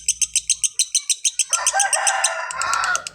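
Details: Lovebird with a brisk string of high chirps that gives way to a short, harsh, rasping flurry, then further chirps; light low hum in the background.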